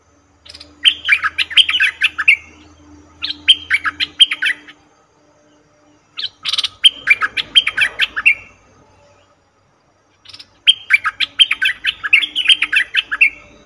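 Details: Repeated lure calling of a cream-vented bulbul used in trapping, with four bursts of rapid, chattering chirps a few seconds apart, each burst of many sharp notes, and a low hum in the gaps.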